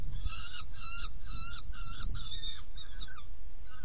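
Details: Saker falcon calling at a nest box during feeding, 17 June 2018 at 10:31; a steady sequence of strident, rasping calls roughly every half second, trailing off near the end, with low hum behind.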